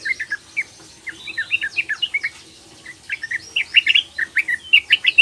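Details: Young female sooty-headed bulbul calling to males: a series of short, bright chirped notes, some rising and some falling, repeated in quick irregular bursts, with a brief pause midway and a second busier run of notes.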